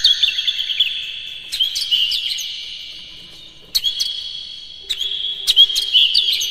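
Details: Captive Oriental magpie-robin in full morning song, played to stimulate other kept birds: short bursts of rapid, high, rippling whistles and chips separated by brief pauses, over a steady thin high-pitched tone throughout.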